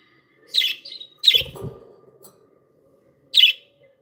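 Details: Happy budgies kept as pets: a scratchy chirp with a short whistled tail, another sharp chirp over a soft low thud, then silence before one last bright chirp.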